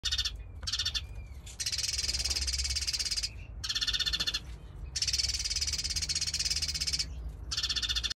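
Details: Sudan golden sparrow (Passer luteus), breeding pair in an outdoor finch aviary, chattering in high, rapid chirping bursts of one to two seconds broken by brief pauses, over a low background hum.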